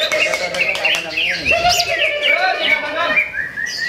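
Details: Greater green leafbird, a first-place winner at a Ramadan practice singing competition in Sungai Batang Jawai, sings varied whistled phrases that rise and fall. The phrases come in quick succession, with faint crowd noise behind them.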